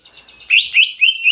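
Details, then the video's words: Greater green leafbird singing canary-style, a short string of bright, rising whistled notes. "Masteran Cucak Ijo Isian Kenari Jernih"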